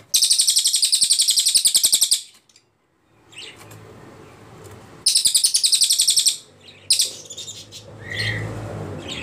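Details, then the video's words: Ashy Tailorbird singing in long bursts, recorded to train other songbirds: a fast high pulsing trill, a near-silent pause, then a second equally rapid burst and a few scattered chirps. "CILILIN GACOR PALING JERNIH TEMBAKAN PANJANG"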